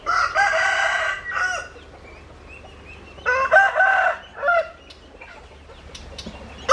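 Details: Rooster crowing twice, each a harsh, rich, drawn-out crow of about a second and a half separated by a quiet gap, with faint background hiss.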